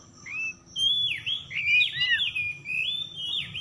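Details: Oriental magpie-robin singing as a lure for stressed birds that have stopped singing: a continuous run of varied whistled notes, rising and falling slurs that overlap, with a weak steady high hum behind.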